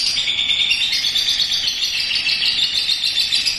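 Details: Young lovebird giving the ngekek on a home porch: a continuous, fast, high-pitched chatter with no pauses, even in loudness throughout, like a long rattling trill.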